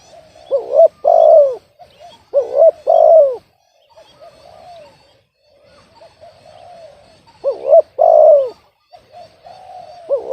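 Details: A spotted dove caught by a bird trapper who hoped for a deep-voiced bird, though this one has an off-key, discordant voice. Loud, hoarse mid-pitched coos come in tight clusters of two or three, separated by quieter murmuring pauses.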